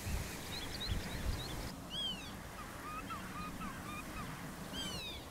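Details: Male black-tailed godwits fight in a meadow over territory for a nest while females watch from a distance, giving loud, nasal, arching calls, often doubled, amid scattered chatter from other birds and a steady low rumble of wind.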